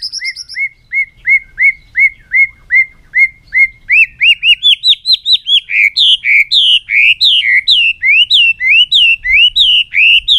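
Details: White-rumped shama in a long, many-voiced song, tail beating on the perch: a steady string of identical short whistles that quickens, climbs higher and breaks into a fast run of varied looping notes.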